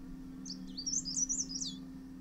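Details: Dark Grey Bush Chat, a male feeding chicks at its nest in a Himalayan hillside earth bank; one brief, high, jerky twittering phrase of quick rising and falling notes above a constant low hum.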